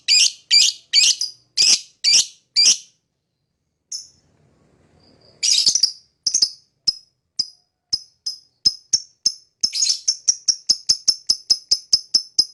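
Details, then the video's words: Lovebird singing and chirping: a quick string of harsh high chirps, then a pause, then a speeding series of thinner, clipped tweets growing rapid toward the end. "Lovebird Singing & Chirping Sound"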